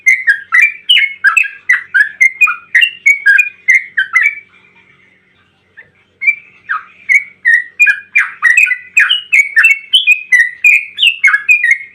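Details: Bulbul in long, rapid song meant to spur other bulbuls to sing: continuous tumbling, warbling phrases of rich, chirpy notes, a short pause, then another lengthy energetic run.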